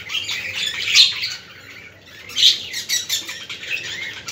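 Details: Budgerigars giving continuous scratchy warbling chatter meant to stimulate budgies, with two sharp loud chirps standing out above the steady twitter.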